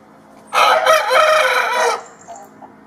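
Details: Rooster crowing in the morning, anticipating sunrise, signalling to other roosters: a single loud, harsh, drawn-out cock-a-doodle-doo lasting about a second and a half, followed by a few faint clucks.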